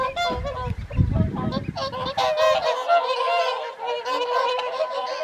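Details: Evening whooper swan feed at the Folly Pond, WWT Caerlaverock, January 2023; a busy chorus of honking calls from the flock, with a low rumbling noise during the first half.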